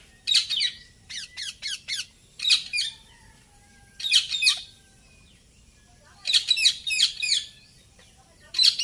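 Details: Indian ringneck parakeet, a talking parrot, calling in loud, shrill, repeated screeches, grouped in short bursts of two to four notes separated by quiet gaps.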